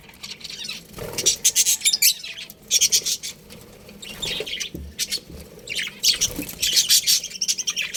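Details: A budgerigar colony chirping in three loud bursts of rapid, high, twittering notes, separated by quieter gaps of soft background chatter.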